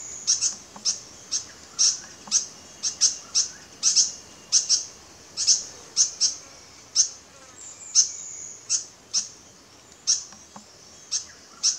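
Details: White-throated fantail at Doi Inthanon, Chiang Mai, Thailand, gives sharp, very high squeaky chips, roughly two to three a second in irregular bursts, with a faint thin whistle behind.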